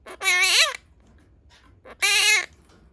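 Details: Pastel blue monk parakeet, a pet talking parrot, imitating Japanese speech: two loud, harmonic, voice-like phrases with wavering pitch, separated by a pause of over a second.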